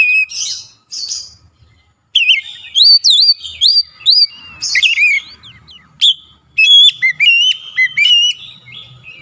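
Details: Agitated Oriental magpie-robin (kacer) unloading its full song content: a scratchy harsh start, then a long run of loud varied whistles, swooping slurs and quick chips, with brief pauses between bursts.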